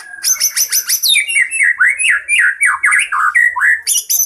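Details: Fighting white-rumped shama singing a full, varied song meant to lure other birds: a quick series of sharp high chips, then loud rolling whistled phrases that swoop up and down.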